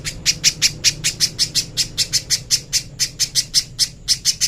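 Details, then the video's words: Little spiderhunter master song used for training: a steady, fast run of sharp, high, scratchy chip notes, roughly four or five per second, evenly spaced and loud throughout, with a faint low hum behind. "MASTERAN BURUNG PIJANTUNG PISANG JERNIH"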